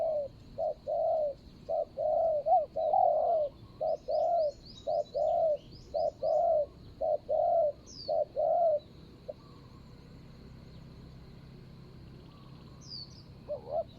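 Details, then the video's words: Spotted dove in Thailand used to lure a rival, recorded 24 January 2022: a run of about a dozen short, regular mellow coos, then a quiet pause with faint high chirps from other birds. "ต่อนกเขาใหญ่.. ต่อดิน.."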